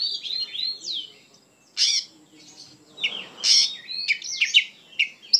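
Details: Oriental magpie-robin (kacer) in full 'gacor' song, described as full of emotion: varied clear whistles, sliding notes and short harsh bursts come in uneven phrases with brief pauses, and a faint hiss lies underneath.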